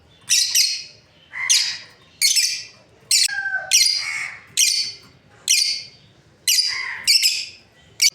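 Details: Steady run of shrill, scratchy chirps from a breeding pair of lovebirds, roughly one burst per second for eight seconds, with a brief lower two-note whistle midway.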